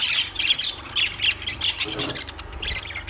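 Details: Shrill, squawky lovebird chirps tumble over one another almost without pause, with a faint low hum underneath.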